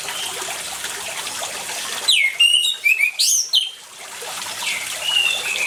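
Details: Orange-headed thrush singing over a steady rush of water, used as a lure to prompt silent birds to sing: a quick run of high whistled, slurred notes in the middle, then another brief whistled phrase near the end.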